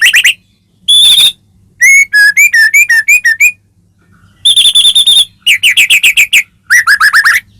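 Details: Caged white-rumped shama singing, used to stir another bird into song: a rich varied series of clear whistles, quick warbled notes and rattled trills in separate phrases with short silences between.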